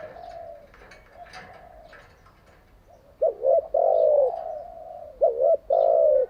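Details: Decoy spotted dove kept for training captive doves: faint background murmur at first, then loud cooing, two dipping double notes each followed by a long rasping coo.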